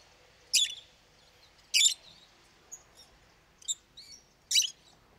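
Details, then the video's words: Pet lovebird, a loud and frequent caller: scattered harsh, piercing high screeches a second or more apart, mixed with small thin chirps and squeaks, over low background hiss. "Как поёт неразлучник"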